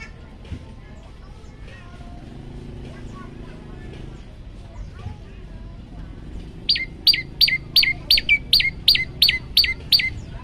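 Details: Olive-backed tailorbird singing a varied song for training other birds: after about six quiet seconds, ten sharp, high notes that each drop in pitch, given about three per second over a low background hum.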